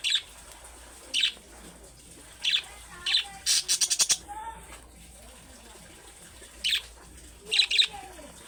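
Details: Budgerigar calling in the manner of young birds, a sound said to make other pet budgerigars answer at once; short harsh squawks spaced about a second apart, a quick run of six sharp chirps in the middle, over a faint steady hum.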